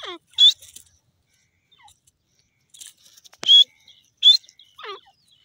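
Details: Francolin calling with clipped, high whistled notes mixed with descending slurred trills, irregularly spaced over a few seconds in a quiet setting.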